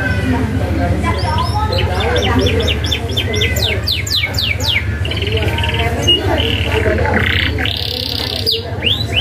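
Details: Canary in lively song used as a tutor recording with sharp rolling trills: rapid repeated downward sweeps giving way to buzzy, rasping phrases and bright whistles, against a constant low background hum.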